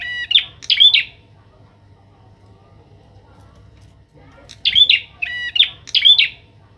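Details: Captive young Bar-winged prinia in training with a kept bird, singing gacor: two quick sharp chirped phrases, a quiet gap of about three seconds, then three more in rapid succession.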